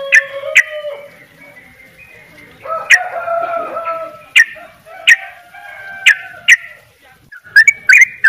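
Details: Sooty-headed bulbul singing actively: clear whistled phrases, some level and some sliding, with sharp bright chips and short rising notes scattered through, and quieter overlapping whistles in the background.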